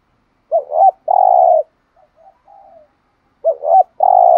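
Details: Caged spotted dove from Dak Lak, Vietnam, kept to lure wild birds, giving a double coo and drawn-out buzzy hoot, quiet murmured notes, then the phrase starting again.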